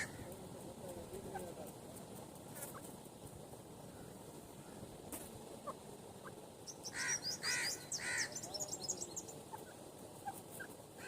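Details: Grey francolin, or teetar, male and female: after a quiet start with scattered faint chirps, a burst of loud raspy notes mixed with high squeaky tones arrives near the end, over background hiss.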